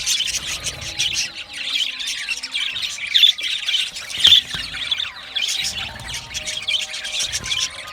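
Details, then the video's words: Chattering budgies: a constant stream of high, scratchy chirps and short whistles, swelling into louder clusters around the middle, with a faint low rumble beneath. "Budgie singing and chirping sounds | Australian Budgie sounds"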